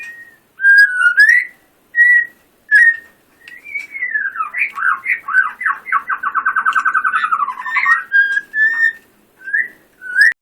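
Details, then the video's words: White-rumped shama, a contest singer: separate clear whistled notes, then a fast rattling trill of repeated notes lasting several seconds, ending in more single whistles. "Murai batu gacor full tembakan"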